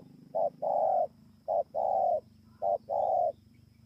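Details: Spotted dove recorded at Bờ Y, Kon Tum, Vietnam, on 28 November 2017, cooing in three paired phrases: a short note, then a longer, steady, low coo, each pair about a second apart, over a faint low hum.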